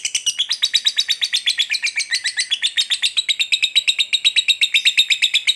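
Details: Lovebird's long ngekek trill, used to provoke another lovebird into fighting: a fast, continuous chattering of high, sharp chirps, about three per second, running unbroken throughout with slight rises and falls in pitch.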